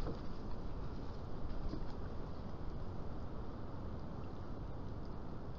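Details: Heavy low wind rumble buffets the microphone throughout, with no clear animal calls.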